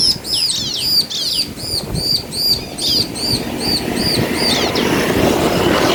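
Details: Bar-winged prinia pair, male and female answering each other, used to provoke other birds into singing: rapid series of high arched chirping notes repeated about twice per second, with steady low engine rumble beneath.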